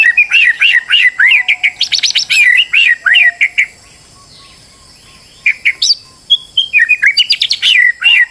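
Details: White-rumped shama described as stressed, its song used as a lure to make another bird sing actively: rapid, varied whistled and buzzy phrases, sharp chips and trills, a pause in the middle, then more fast phrases; faint low whistles beneath.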